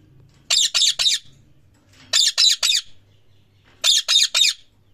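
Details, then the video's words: Parrot giving loud, harsh, high chirps in three-note bursts, each burst about half a second long, repeated roughly every one and a half seconds. A faint low hum sits underneath in a small room. "Parrot loud chirping sound"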